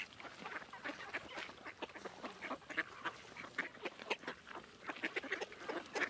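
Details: Mallards at George Reiffle Park, 2014, with widgeons present: a busy chatter of short nasal quacks and gabbling notes, several birds calling over one another at an irregular, quick pace.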